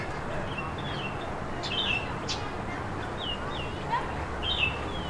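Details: Red-whiskered bulbul at Reid Park Zoo, Arizona: short, bright whistled phrases, several slurred up and down, given in about five bursts over a steady background hum.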